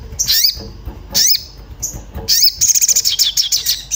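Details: Orange-bellied flowerpecker, agitated and looking for a mate, used as a lure to make birds sing: high, thin downslurred chips with a rising harmonic, then a fast trilled rattle of sharp ticks.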